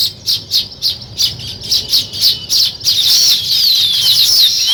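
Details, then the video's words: Weaver birds building a nest, giving rapid high chirps repeated about three times a second, then a dense overlapping chorus of thin whistled and trilled calls from several birds. "Weaver Birds Building Nest"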